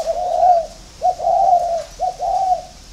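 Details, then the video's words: A spotted dove matched against a decoy bird gives deep, mellow coos in three clear phrases, each a short note running into a longer rolling one. "đấu với mồi đất"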